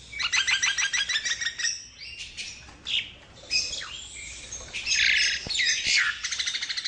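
A Javan myna opens with a fast run of bright repeated chirps, then shifts into a jumble of harsh squawks, rasps and clear whistles.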